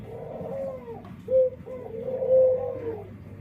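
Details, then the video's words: Dove with an unusual, unique-sounding song, described as strikingly different from others of its kind; low, hollow coos in three drawn-out phrases, the middle one short and sharp, over a faint steady hum. "Suara Unik Burung Puter // Unique Sound Singing of dove"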